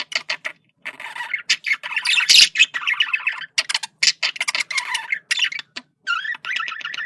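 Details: Male budgerigar chattering to communicate, a near-continuous stream of high, buzzy warbled notes mixed with sharp chirps and clicks, with brief pauses and a rising, whistled squeak near the end.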